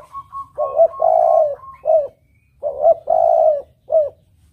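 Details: Melodious spotted dove song for luring: soft introductory coos, then a strong long coo and a short one, the phrase repeated after a pause, with a faint steady higher tone early on.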